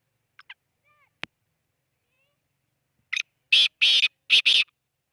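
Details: Black francolin calling in Khushab, Pakistan: a faint stuttering double note, a sharp click, then a harsh grating phrase of three loud buzzy bursts about half a second apart. Nothing else is heard.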